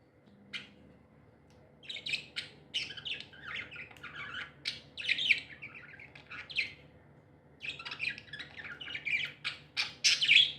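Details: Pet budgerigars described as happy, chattering indoors in a burst of rapid scratchy chirps and short warbled notes, pausing midway before a second dense run of bright twittering.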